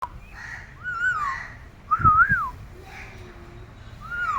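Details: Pet parrot whistling and answering its owners: clear, slurred whistles that rise and fall in short arcs, repeated with pauses, plus faint low murmuring in a small room.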